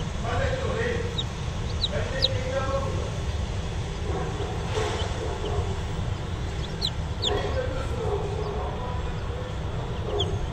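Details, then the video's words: Five chicken chicks give scattered high, thin peeps in short bursts against a steady low rumble and a faint murmuring that may be voices. "Civciv sesleri"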